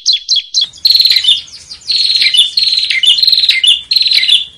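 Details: Bar-winged prinia master song for competition bird training: a few sharp chirps, then loud buzzy, scratchy phrases with high twittering notes, delivered in bursts of about a second each.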